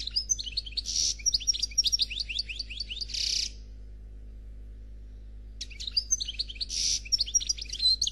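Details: European goldfinch, Noir Khalwi type, giving a flawless song: a fast tumbling run of high chirps and buzzes, then more than two seconds of silence before a similar twittering burst resumes.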